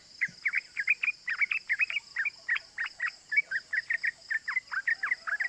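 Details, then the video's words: Lure recording of a yellow-vented bulbul in full voice, meant to rouse other bulbuls: a steady run of short, clipped cuk cuk notes, about four per second, over a faint constant high hiss. "Pancingan Trucukan Gacor Ropel Bikin EMOSI❗ Suara Cuk Cuk GAMPANG DITIRU bikin semua trucuk EMOSI"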